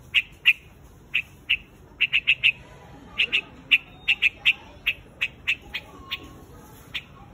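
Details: White-headed quạch mốc calling the flock with sparse, separate harsh chips, singly or in small clusters, spread irregularly over quiet background.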